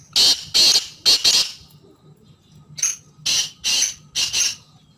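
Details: Black francolin giving loud, harsh, scratchy calls: grating bursts grouped in quick pairs, four bursts, a pause of about a second, then four more, with a faint low hum in the background.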